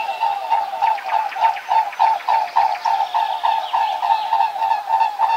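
Swans give a steady run of nasal, mid-pitched honking notes, about three or four each second, with a soft chorus of calls behind them.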